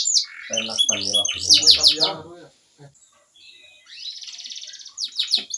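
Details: Loud canary song of sweeping high notes mixed with lower harsh sounds, a pause, then a high buzzy trill and more downslurred notes.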